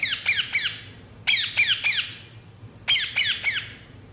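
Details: Pet Indian ringneck parrot chirping indoors: three bursts of sharp, high squawky notes, three or four per burst, about 1.3 seconds apart.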